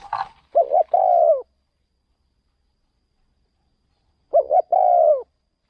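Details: Two well-spaced phrases from a decoy spotted dove out luring birds in another province: a quick double coo then a drawn, gently falling coo, roughly four seconds apart, preceded by a brief rustling noise.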